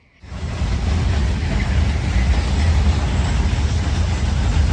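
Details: Loud, low engine and road rumble starts after a brief silence and continues steadily, with no animal sounds.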